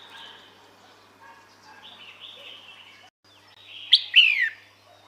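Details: Female red-whiskered bulbul calls out to males with a sharp high note and then a longer, sweeping down-slurred chirp, after soft warbling from birds farther away.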